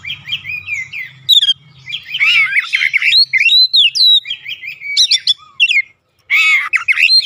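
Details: Magpie-robin singing full 'ngeplong gacor' style meant to trigger an answer from birds at home: dense medley of slurred whistles, rising and falling sweeps and chattery notes, a faint low hum underneath early on, brief silence near six seconds.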